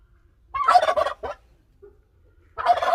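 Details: A pet Bourbon Red turkey gives a loud, rapid, rattling gobble and a short extra burst; a second gobble follows about two seconds later.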